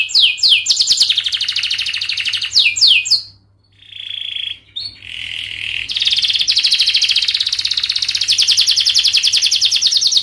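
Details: Canary song aimed at young birds learning to sing: rapid trills and downslurs, a pause with short steady whistled notes, then a long continuous rolling trill.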